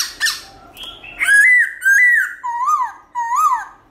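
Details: Caged black-throated laughingthrush singing in the morning in a forest-style, voice-switching song: a harsh opening note, then loud slurred whistles and arching, rising-falling whistled phrases repeated about every half second.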